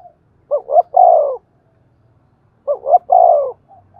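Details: Two cooing phrases from a spotted dove in the thổ đồng voice, used to urge wild-caught doves to coo. Each phrase is two clipped rising notes, then a long downward-sliding coo. Otherwise silence.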